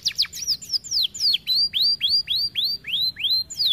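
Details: Canary song meant for tutoring canaries: quick downward slurs, then a clean series of rising-and-falling whistled swoops about four times a second.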